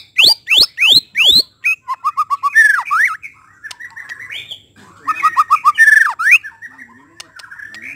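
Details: White-rumped shama: four loud upward-sweeping whistles, then rapid runs of short whistled notes and harsh chatter, repeated after a short pause.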